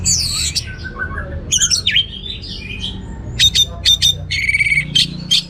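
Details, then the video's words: Orange-headed thrush singing varied phrases: high trills, swooping notes and repeated sharp chirps, with a rapid buzzy rattle near the end. "Suara Gacor Burung Anis Merah Teler Materi Melimpah"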